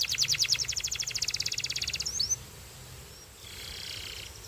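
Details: Belgian canary singing: a rapid, bright, high trill lasting about two seconds, then a quick upslurred note, a short pause, and a fainter, buzzy trill at the end. The background is quiet.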